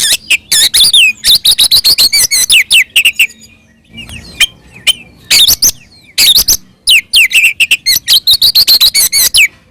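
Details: Oriental magpie-robin singing ngeplong fighting song to provoke rival magpie-robins into answering: dense rapid phrases of whistled slurs and buzzy chatter, one brief quieter gap, then a renewed fast burst.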